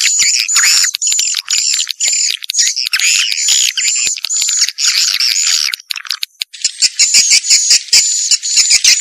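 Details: Vietnamese "janda" swiftlet lure sound: rapid repeated buzzy chirps with a thin high whistle running on top, in steady bursts, then a brighter hissing chatter after a short break.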